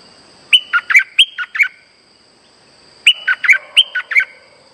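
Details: Lure song of a caged streak-eared bulbul for trapping birds: two near-identical phrases of six or seven clipped, bright chirps, repeated about two and a half seconds apart. The background is quiet.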